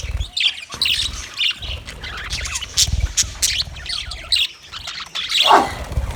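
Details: Budgerigar flock recorded 29 February 2024, mixing scratchy chirps, short squawks and warbled notes in irregular bursts, with soft thumps between calls and one louder harsh squawk near the end.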